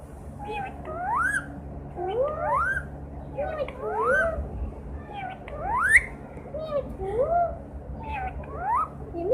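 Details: Pet green parrot that sings, whistles and speaks, giving a series of rising whistled slurs with shorter chatter notes, roughly one phrase every second, over steady low background hum.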